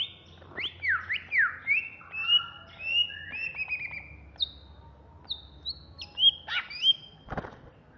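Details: An agitated, ngentrok-style song from a Banyuwangi greater green leafbird: rapid zigzag whistled slurs, high clipped notes, and sharp chips, ending with one loud noisy burst.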